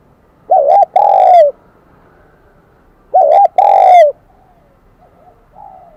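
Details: Wild-caught spotted dove singing in the high, bell-like Kim Đồng voice. Two phrases, each a short doubled note followed by a sustained, slowly falling coo, then quieter soft coos trailing off.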